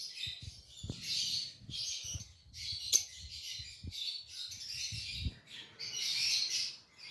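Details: Several bursts of sharp, scratchy lovebird chirps follow one another almost without pause, with occasional clicks and soft low thuds underneath.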